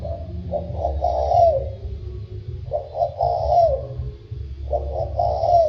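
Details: Spotted dove cooing in the 'thổ sâm' voice style, three phrases spaced roughly two seconds apart: quick broken notes leading into a long, smooth, slightly descending coo, with steady low rumble behind.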